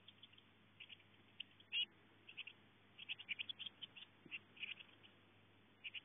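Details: Eurasian blue tit chicks, in late May, seemingly confused between their eldest sibling and the mother; scattered thin high chirps come in short irregular bursts over a steady low hum.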